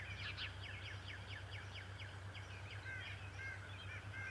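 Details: At Decorah on 11 March 2018, an adult male bald eagle gives a quick run of high, piping chitters that slows toward the end into a few drawn-out squeals, over a low droning hum.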